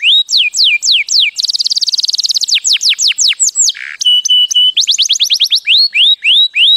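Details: Canary song for teaching chicks: rapid tours of high falling whistled notes, a fast dense trill, a brief low buzzy note, then steady flat whistles and upslurred notes repeated about three per second.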